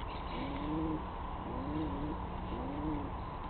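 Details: Pigeon from a family gathered together the morning after a suspected barn owl attack, giving soft, low, slightly rising coos repeated three times about once a second over a steady background hum.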